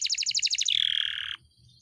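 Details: Caged canary in vigorous, long rolling song for songbird training: a quick run of pulsed high chirps melts into a smooth descending whistled tone that fades out abruptly.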